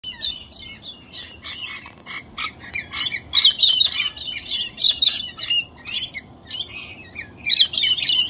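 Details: A pair of galahs trying to move into a nesting tree hollow are disrupted by a pair of rainbow lorikeets: a chaotic jumble of harsh, high, overlapping screeches and chatter, almost three calls a second.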